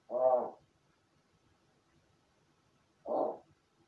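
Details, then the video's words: Pet crow kept indoors in its own room, practising calls after playing alone; two short, harsh, harmonic caws about three seconds apart, with quiet room noise between them. "一人遊びの後 鳴き声と喋る練習"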